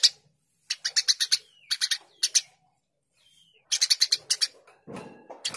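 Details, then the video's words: Eurasian tree sparrow (Passer montanus) giving bright, harsh chirps in quick bursts of four to six with short gaps, used as a song-tutor recording; faint background rumble near the end. "Masteran burung gereja gacor"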